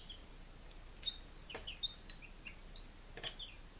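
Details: Five-day-old baby chickens, kept chicks recorded on 23 July 2017 in Lunenburg, Massachusetts, giving high, thin peeps, some sliding downward, scattered irregularly with short gaps and a few soft background clicks.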